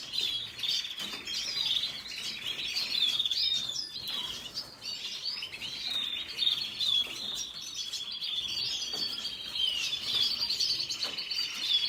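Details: Extended red siskin song mixing squeaky chirps, sweeping slurs and stretches of dry, buzzing trill, delivered steadily at high pitch throughout.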